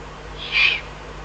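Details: Eurasian eagle-owl recorded in the Eifel on 22 June 2012; a single short, hissing, raspy note of about a quarter second, sitting high and noisy, against steady faint background hum.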